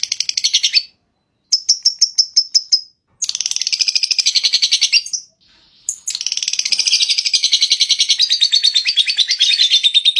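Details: Lovebird singing long ngekek phrases, several bursts of fast shrill chattering separated by short silences, the last run stretching on for about four seconds.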